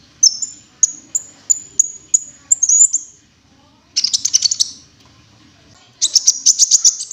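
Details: Cinereous tit call for luring birds: a row of about eight clear, high whistled notes at even spacing, followed by two dense bursts of rapid, buzzy chattering.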